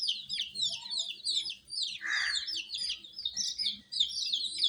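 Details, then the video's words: Colour chicks, baby domestic chickens, cheep in shrill overlapping down-slurred notes, with a brief rustling swish midway and faint low background noise. "MURGI Baby "Chicks Chirping" Sound"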